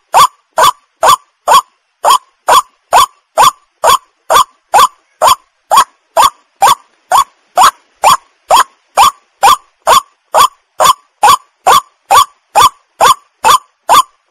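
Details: A white-breasted waterhen call, used as a lure for bird hunting, repeats a harsh, croaking note a little over twice a second, steady in pitch and rhythm throughout, with no other sounds.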